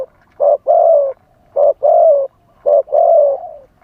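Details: Spotted dove used as a live lure for wild doves, singing in wild style: three clear couplets of deep coos, each a quick note followed by a drawn-out, gently descending one, separated by faint hums.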